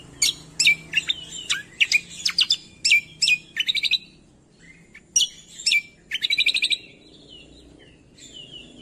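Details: Cucak kombo masteran aimed at getting silent songbirds to reply: two phrases of quick varied chirps and trills with a short quiet gap, ending in soft sliding whistles.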